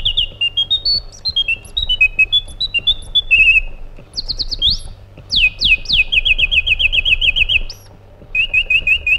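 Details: Iraqi bulbul, the white-eared bulbul, delivering a lively song: a descending string of clear whistled notes, a few sharp upward-swept whistles, then a fast rattle of repeated notes and a final trilled run; faint low hum behind.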